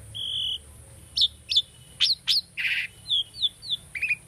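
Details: Tame Asian starling singing a training song: a flat whistle, then sharp chirps and a harsh buzzy note, followed by evenly spaced downslurred whistles and a closing chatter.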